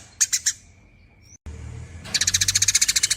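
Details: Eurasian tree sparrow in long 'nyerecet' chatter: three sharp chips, a thin whistled note, a brief break, then a quick steady run of high chips.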